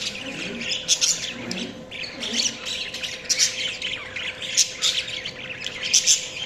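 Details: Budgies squawk and chirp in harsh, buzzy bursts, a busy high twittering flock sound, with some faint low murmurs early on.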